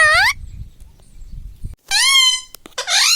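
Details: Talking green ringneck parakeet kept as a pet, saying words like mummy and mithu; three loud harmonic utterances, the middle one long and level, separated by quiet gaps with low room rumble.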